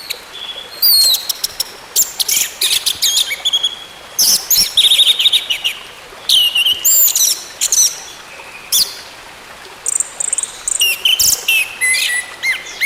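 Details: Orange-headed thrush song, played to get a silent bird singing again and gradually bring it back to full song. Long, varied sequence of fast, chattering high phrases and bright whistled slurs in repeated bursts.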